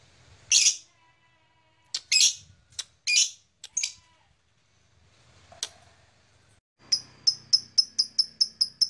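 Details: Blue black-masked lovebird giving scattered loud, sharp squeaky chirps with pauses between, then a quick run of about ten short high chirps at the end.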